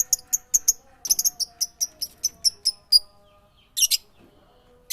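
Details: Bird song of high, clipped chirps repeated about every quarter second in an even series, then a pause and a brief dense burst of notes, with a low steady hum underneath.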